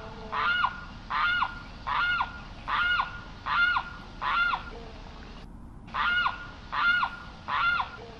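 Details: Steady run of loud, nasal, wailing Limpkin notes, each rising then dropping, about one every three-quarters of a second, broken once by a brief silence.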